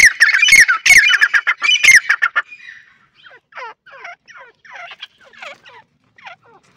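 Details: Partridge, called Irani teetar: loud, harsh, raspy bursts for about two seconds, then a looser run of short, falling, chattering notes repeated roughly every half second.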